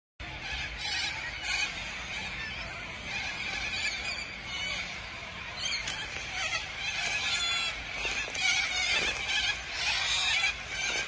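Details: A huge flock of corellas gathered at Tocumwal on the Murray River fills the air with a steady roar of harsh, overlapping screeches that never lets up.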